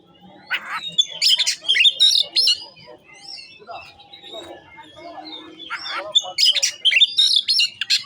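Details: Oriental magpie-robin showing off its varied repertoire of mimicked phrases: loud whistled and chattering notes in bursts, with a quieter lull in the middle and faint background noise.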